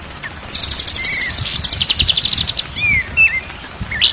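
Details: White-rumped shama singing in a training recording meant to make birds sing, day and night: a short rising whistle, then a dense run of rapid high chirping notes and several clear slurred whistles toward the end.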